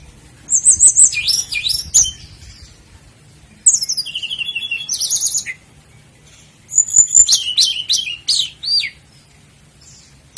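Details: Sikatan londo flycatcher song for caged-bird training: three separate high-pitched phrases of sharp slurred whistles and fast trills, each lasting about two seconds, with short silences between them.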